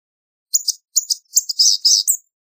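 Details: Thin, wheezy, buzzy notes of a blue-gray gnatcatcher, two short paired calls then a longer drawn-out nasal series, all very high-pitched with no background noise.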